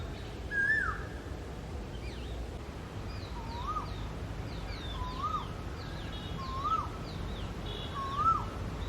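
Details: Male Asian koel song: one higher whistled note, then a pause and four rising, upslurred whistles spaced about 1.5 seconds apart. Faint high chirps from other birds are heard in the background.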